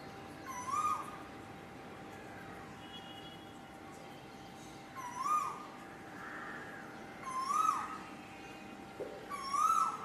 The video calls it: SINGING KOEL